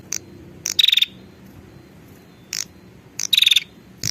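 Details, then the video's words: Female prinia calling the male as a lure: quick beaded rattling trills in two bursts, separated by single sharp ticks, over a faint low hum. "suara pikat burung prenjak betina memanggil jantan"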